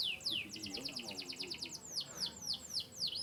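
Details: Canary of Yorkshire descent from Turkey and the US: downward-sweeping whistles and a rapid trill of short high notes, then repeated descending slurred chirps about every quarter second, with faint low murmuring behind.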